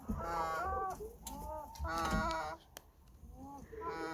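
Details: Sleeping chicken snoring: soft, drawn-out, nasal harmonic tones in wavering phrases roughly every second, then a brief quieter gap and a final rising note, with faint clicks in the background.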